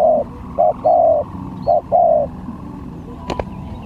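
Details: Spotted dove cooing for a luring contest: hollow low phrases, a brief note then a longer coo, repeated twice, a sharp tap near the end and faint distant chirps.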